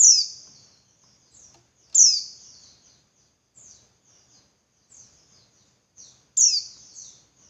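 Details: Female Javan white-eye call used to provoke males into singing more insistently: loud, sharp high notes sweeping downward, alternating with faint, thin twittering fragments, the strong notes spaced two to four seconds apart.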